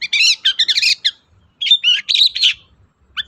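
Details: Long-tailed shrike song played so a quiet shrike answers: two bursts of rich, rapid chattering and warbled notes, separated by a short pause, with a single short note at the end.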